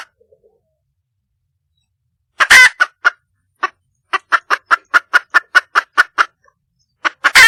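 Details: Wild red junglefowl hen calling for a mate: a loud harsh squawk, then a steady run of short clucks about five per second, ending in another harsh squawk, with silence between.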